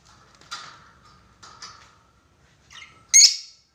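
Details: Lovebird calling a rival, used as a lure for long chattering: faint high chirps with a steady thin tone, then one loud, shrill, buzzy screech at the end.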